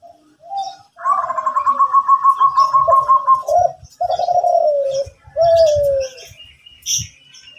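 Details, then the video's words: Morning song of a zebra dove in Kelantan: soft coos lead into a long rapid higher trill, then rolling burred coos ending in a descending slur, with light knocking and scattered high chirps. "Derkuku Kelantan Gacorrr pagi hari"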